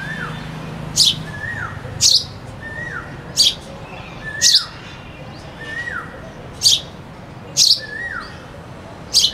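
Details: Sparrow chirps with a cuckoo singing in the background: eight brief high chirps spread irregularly over nine seconds, alternating with soft, repeated whistles that fall in pitch.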